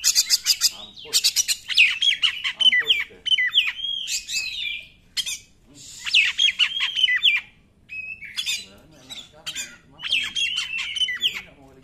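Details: Song of an Oriental magpie-robin, played to stir other magpie-robins to sing, with harsh buzzy bursts mixed with whistled wavering phrases, delivered in loud clusters separated by short pauses.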